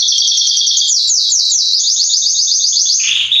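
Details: Belgian canary male, Salsa strain, singing to stimulate other canaries; a fast, loud, unbroken high trill with repeated descending slurs, ending on a lower rolling phrase.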